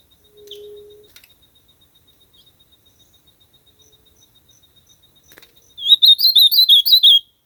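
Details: Ultramarine grosbeak in nature, a short, rapid run of sweet warbling notes near the end after faint ticks and a low hum, each note slurred up and down, clearly repeated in a tight burst.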